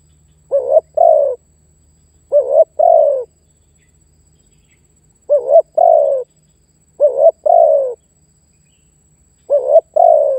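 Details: Spotted dove luring a rival: five unhurried two-part coos across ten seconds, each a short quavering note then a falling, longer coo, with quiet pauses and a soft low hum early on.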